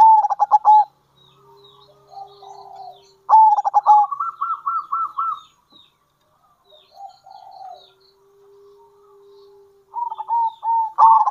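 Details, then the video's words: Local zebra dove giving its kerot and bekur coos, used as a lure for other zebra doves: short bubbling, rapidly pulsed coo phrases separated by quiet gaps, with a soft steady low tone between phrases. "Panggilan Perkutut Lokal !! Perkutut Lokal Kerot Gacor Dan Bekur Ampuh Untuk Pancingan Perkutut"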